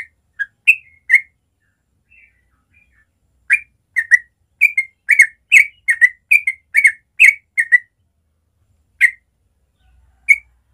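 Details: Natural morning ropel of a Yellow-vented Bulbul, played to teach young birds: a few opening whistles, a lull, then a lively stream of bubbly two-part notes, tapering into isolated calls.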